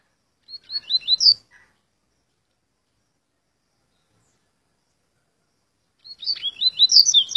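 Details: Two short song phrases from a hybrid of Curió and Coleiro, separated by about five seconds of silence; each is a fast run of high chirped, slurred notes, the second longer and busier.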